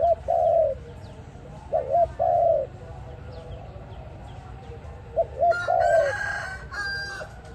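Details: Dove calling, a sound meant to lure birds into a trap. Low coos are paired: a quick wobbling note, then a longer falling one, repeated three times, with a harsh noisy burst near the end.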